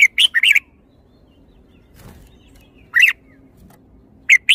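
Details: Red-whiskered bulbul delivering a rapid run of three bubbly chirps, then silence, a single chirp, and two more chirps at the end; the notes are sharp and clear against a quiet backdrop.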